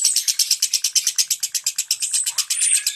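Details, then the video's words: Lovebird in tight "ngentik" style song meant to coax mute lovebirds into singing, delivering a quick run of high, clipped chattering notes about eight per second, ending in a slightly rising whistled flourish. "Suara Lovebird NGENTIK Rapat"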